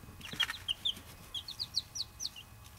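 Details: Young chicks, Buff Orpingtons and bantams, giving a run of high, short, downslurred peeps at roughly quarter-second intervals, with a brief clatter near the start and low background hum.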